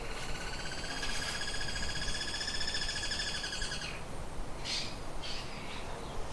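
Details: Bird calling inside a shed: a steady, nasal, harmonic-rich trilling note held for about four seconds, then two or three short sharp chirps, over a constant low rumbling background noise.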